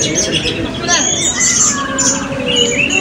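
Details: Blue-crowned hanging parrot singing at a 2024 open songbird voice-and-style competition in Balingian; thin, high whistled notes and short sliding squeaks overlap continuously, with crowd murmur and other birds in the background.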